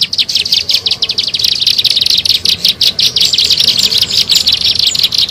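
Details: Bar-winged prinia, locally called ciblek sawah, used as a lure for trapping birds: a fast, continuous stream of high, buzzy chattering notes, pulsing several times per second without a break.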